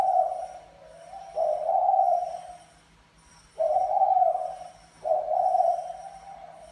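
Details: Male spotted dove (Mã Phấn type) calling to court a female of the Bài Lối type; a run of mellow, throaty coos, the longer ones sliding slightly downward, with short quiet gaps between phrases and a faint electrical whine.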